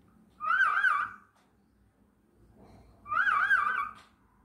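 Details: A pet male cockatiel, 1.5 years old, sings two wavering, warbled whistled phrases with a quiet pause between them.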